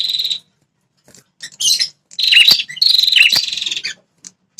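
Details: Red-headed prinia, a territorial fighter, calling to provoke wild males: a short buzz, a few chips, then a long rattling buzzy phrase with sharp dipping notes.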